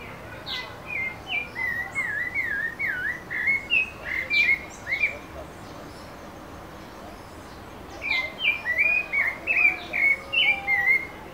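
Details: A Pale-breasted Thrush (Turdus leucomelas) in Brasilia, Brazil sings two bursts of quick, varied whistled phrases, rising and falling notes tumbling about twice a second, over a steady hiss of background noise.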